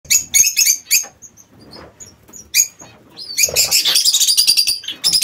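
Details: King quail kept in an aviary: clusters of sharp, very high chirps in quick bursts, separated by short thin whistled notes and brief pauses, with faint low room noise beneath.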